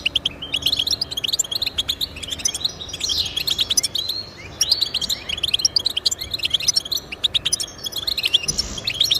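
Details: Goldfinch song aimed at getting caged goldfinches to sing: sustained fast twitters, chirps and short slurred notes from several birds, in a busy chorus with brief dips.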